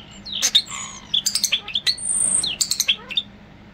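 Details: European starling kept as a pet, singing from a monitor indoors in July: rapid clicks and snapping notes mixed with thin squeaky whistles and one high sustained whistle mid-phrase, then quick chattering chips.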